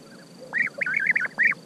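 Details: Several trilled, arched calls from a European bee-eater in quick succession, rolling notes that rise and drop, with a brief pause before a final clear call.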